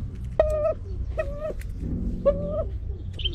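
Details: Edwards's pheasant from a carefully maintained backup population bred ex situ for return to Vietnam, a species now thought extinct in the wild; three short nasal, harmonic calls at a steady pitch, evenly spaced, over a low background hum.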